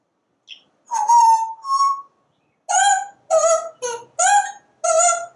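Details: Parrot talking nonstop on a screened back porch while it watches squirrels and birds, voicing a run of clear, tuneful, rich-toned word sounds, two drawn-out then five quick syllables in a sing-song rhythm.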